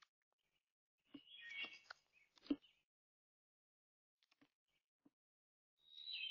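Brown Thrasher giving a couple of brief, rich, chattering phrases in the mid-high range, then a pause with scattered soft clicks before another phrase.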